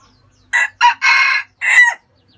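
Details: Red junglefowl, Vietnam, delivering a brisk four-note crow. Rough, loud syllables open briefly, stretch into a longer central note and end in a short falling tail, with almost no other sound around it.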